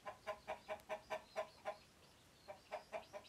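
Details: Alarmed hens, scared by an intruder, calling to warn others of danger: a steady string of eight loud clucks, a brief gap, then four more in quick succession.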